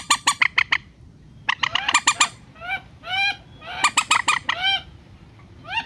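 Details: Rail lure for net trapping: quick harsh squawk bursts mixed with clearer, upward-curving nasal whistled notes, all repeating in a busy, uneven sequence.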